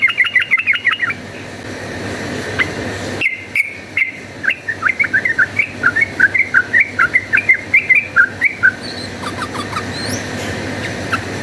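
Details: Fighting song of a chatty yellow-vented bulbul, used as a lure: a fast bubbly run of short warbled notes, then after a pause a long steady string of rising and falling liquid phrases, with a low background hum.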